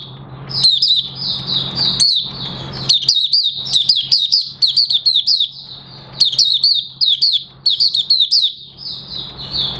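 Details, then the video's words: Kept Oriental white-eye, recorded 30 August 2022 as it begins singing, its new white feathers nearly fully coloured after moult; rapid high twittering warble of sweet chirps and trills, nearly continuous with brief pauses, over a low steady hum. "Mata Puteh Raja Buka Sing"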